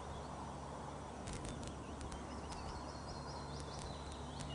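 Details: Osprey at the Loch of the Lowes nest webcam, Scotland, 1 June 2013 around 13:26, during the chick's first feed. Short high rising whistled chirps repeat in loose series, with sharp clicks over a steady hiss.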